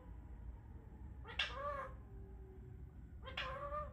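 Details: Indian ringneck parrot talking: two drawn-out nasal, meow-like phrases, each opening with a sharp harsh onset then a wavering falling tone, spaced about two seconds apart, over low background hum.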